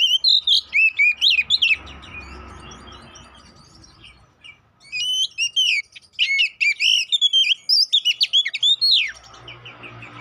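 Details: Oriental magpie-robin song played as a lure to provoke fighting and get birds singing: loud, varied whistled phrases with rapid sweeping notes, bursts around two seconds apart, a quiet gap in between.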